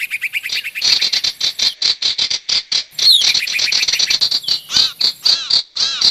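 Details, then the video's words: Sirtu call used as a lure for wild birds, quick regular chirps building into a denser twittering passage, ending with several ringing arched notes. "Suara pikat burung sirtu dijamin ampuh!! audio pikat burung sirtu anti zonk"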